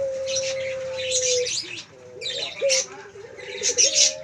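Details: Male Pelung Barbary dove holds one long, flat, low coo for about one and a half seconds, then gives quieter stepped notes, while other birds chirp and trill above.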